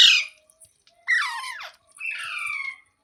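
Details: Pet parrot, filmed as talking, with three raspy calls: a short shrill burst, a hoarse falling squawk, and a longer flat nasal note.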